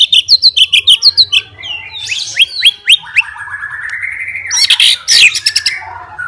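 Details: White-rumped shama, a fighter bird whose song is meant to rile other shamas, gives high rapid chirps, downslurred whistles, a long rising whistle, then a burst of harsh rattling notes.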